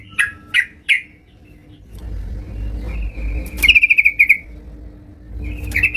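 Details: Yellow-vented bulbul in full song at home: three sharp separate notes, then a drawn-out whistle breaking into a quick stuttering trill, with a passing car rumbling in the background.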